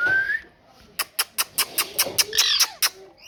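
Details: Pet parrot gives one short rising whistle, then a run of about ten sharp, evenly spaced clicks with a few brief chirps mixed in.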